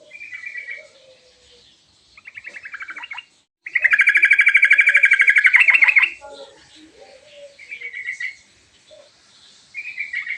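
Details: Sooty-headed bulbul in steady song with elaborate filler, meant to call and get a quick answer: short trilled phrases, then a loud two-second dense buzzing trill, followed by softer whistles and repeated trill bursts.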